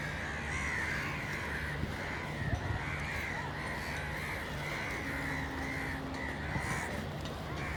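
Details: Repeated harsh crow caws follow one another almost continuously, a run of rasping calls over a constant low drone and noisy background.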